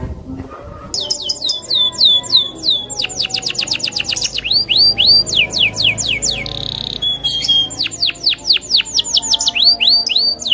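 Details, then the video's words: Canary of loper style singing wildly at a rival: after a quiet start, series of quick descending whistled sweeps alternating with fast trills and a brief buzzy burst, continuing steadily throughout. "Suara Burung KENARI LOPER NGAMUK Menantang LAWAN untuk BUNYI."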